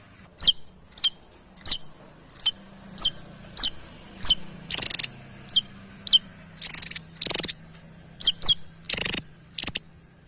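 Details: Javan tesia vocalizing actively: sharp, high chip notes slurring downward, repeated about every half second to second, interrupted by several harsh, broadband rasping bursts, over a faint low steady hum.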